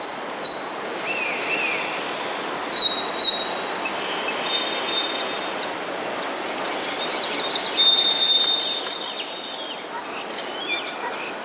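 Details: Common starling at Station Bijlmer on 17 January 2015, giving a loud, varied run of sliding whistles, pure sustained tones, downward swoops and scratchy clicks, with constant background hiss.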